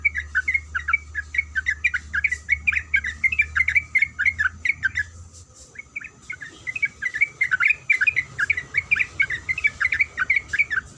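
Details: Female yellow-vented bulbul calling a male, in breeding mood: dense bursts of rapid chirping, broken by a short gap midway before resuming at the same quick pace, over a faint hum.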